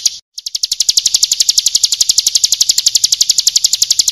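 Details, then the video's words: Bar-winged prinia, kristal-style song recorded as a full-isian training recording for other birds: a rapid, steady series of high metallic ticking notes, about ten per second, continuing unbroken after a brief opening gap. "Masteran Suara Burung Ciblek Kristal"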